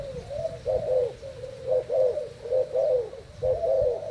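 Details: Thai-type spotted dove cooing against a decoy while caged: low, gently wavering coos in uneven short phrases, each note swelling and fading, with a quiet background.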